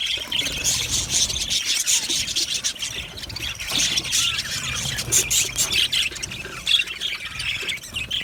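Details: Happy aviary budgerigars fill the air with a dense wash of high chirps, squeals and squawky notes from many birds, continuous with brief louder peaks.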